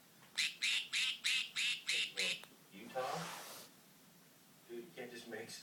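A budgerigar gives a quick run of harsh, nasal quacks, mimicking a toy duck.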